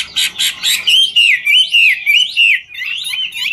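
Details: Chinese hwamei in the ngũ trường singing style, dancing as it sings: three loud rasping bursts followed by a long, wavering whistled run of slurred loops that rise and fall.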